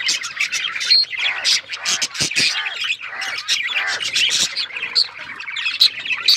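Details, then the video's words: Mating song of a male budgie, a dense stream of squawky chatter and quick chirps, sprinkled with short high whistles and harsh clicks, steady and unbroken throughout. "Budgie male singing budgies mating sound"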